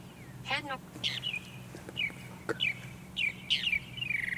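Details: Singing northern mockingbird, Cape Cod, Massachusetts, mid-October 2023, described as hitting all notes. Loud, varied phrases: a harsh rasp, then clear whistles that slide down and trill, with a sharp click between them, over a low hum.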